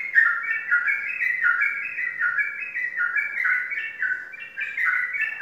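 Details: Caged sooty-headed bulbul, a competition bird from Pemalang, Indonesia, that has won contests. It sings a continuous run of bubbly, mid-pitched whistled phrases, each about half a second long, rising and falling in quick succession with no pauses.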